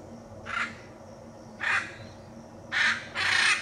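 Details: Four grating screeches from a hyacinth macaw in Brazil's Pantanal. Two single calls are spaced apart, then a close pair ends the sequence, the last call the broadest and loudest.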